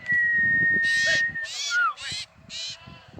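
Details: Common iora of the Javan subspecies scapularis, from a village in Java, heard while being released: a long steady whistle, then a short falling note among harsh noisy bursts and low rustling.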